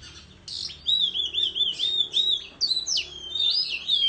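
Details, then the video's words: Oriental magpie-robin in the countryside, fanning its tail while singing against rivals: a long, clear whistled glide with wavering notes, then sharper rising and falling phrases toward the end. "Chích Choè Than Hót Múa Xoè Hót Đấu Tại Vùng Quê"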